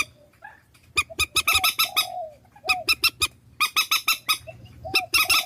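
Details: Decoy recording of swamphen in Vietnam: rhythmic series of rasping, honking notes mixed with soft, low, drawn-out mewing calls and brief pauses.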